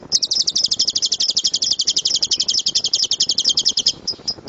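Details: Lovebird giving the 'tembakan' shooting song used to train birds to sing loudly. A quick run of shrill rattling notes lasts about four seconds, ending in a few isolated chirps.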